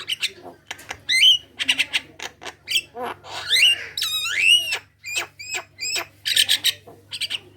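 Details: Lively Javan myna song meant to prompt other Javan mynas to sing: clicks and rasps mixed with looping upward-bending whistles, a long swooping whistled phrase in the middle, then a run of rapid clipped notes.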